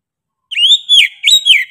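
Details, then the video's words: Oriental magpie-robin (kacer) singing in full voice: loud clear whistled phrases with rising and falling slurs and a quick rapid-fire burst, on a silent background. "KACER GACOR NGOTOT PEDES SUARA NYA GA DA AMPOON"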